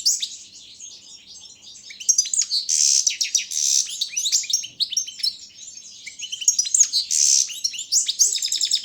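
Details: European goldfinch of the Balkan subspecies Carduelis carduelis balcanica, a competition bird entered in an internet world singing championship from Serbia; after two quiet seconds, a fast run of high twittering notes, sharp rising and falling slurs and brief buzzy trills, continuing without pause.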